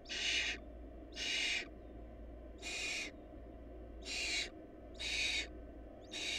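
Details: Hungry barn owl nestlings, their family lacking food, give rasping hissed screeches, each about half a second, repeated at an uneven pace near once a second, with a constant low background hum.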